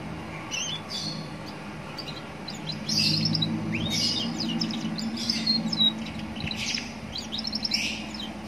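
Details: Roadside recording of a young canary singing to draw answers from other canaries: scattered sharp high chirps and short twittering bursts, irregularly spaced, with a constant low rumble of background noise.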